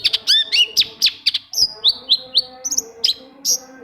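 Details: Long-tailed shrike lure song for stimulating silent shrikes: quick bright chirps and squeaky trills, then a sequence of descending whistled slides, delivered at roughly four notes a second.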